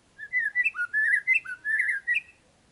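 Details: Murai (shama) song played as a lure to draw a reply: a short burst of loud, varied whistles, with low slurred notes alternating with higher upward-flicked phrases, ending abruptly.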